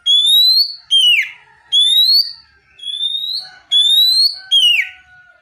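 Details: Kacer training song with calling notes meant to draw a reply: bright, upward-sweeping whistles roughly once a second, alternating with sharp downslurred notes and quieter low warbling.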